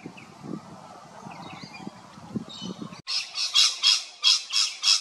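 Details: Rainbow lorikeets recorded at Big Swamp Station, South Australia. Faint chatter and rumbling background, then after an abrupt cut a loud string of harsh, rasping screeches repeated several times a second.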